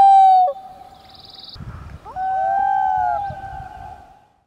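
Common loons give long, mournful wailing notes that hold a steady mid pitch, with a brief rising slide between them; a faint buzzy note and light wind rumble sit underneath.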